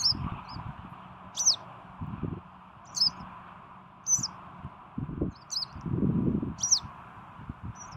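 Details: Western yellow wagtail on 12 June 2018 calling repeatedly: brief, sharp, high-pitched 'tsweep' notes roughly once a second, with intermittent low thumps, rustling and a soft broad hiss underneath.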